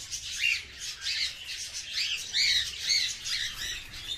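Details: Cockatiels kept at home, some sitting on the cage in sunshine, giving harsh, high squawking calls in quick, irregular succession.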